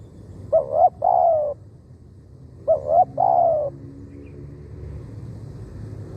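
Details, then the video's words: Decoy spotted dove calling to draw in wild doves: two mellow coo phrases, each a quick paired note followed by a drawn-out descending purr, separated by about two seconds, with steady low hum behind. "เสียงนกเขาใหญ่ต่อ หมาน ๆ นกป่าเข้าไว"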